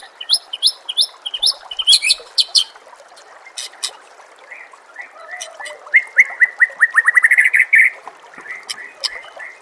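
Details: White-rumped shama song used as a master recording for training captive birds, set against nature sounds and trickling water: rapid repeated high chirps, then a quickening series of rising whistled notes ending in a run.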